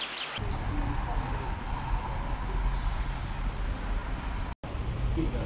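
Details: Spotted flycatcher nesting among screws in Dombóvár, Hungary, on June 8, 2017, filmed from a window hide, gives thin, very high 'tsee' calls about twice a second over a steady low rumble.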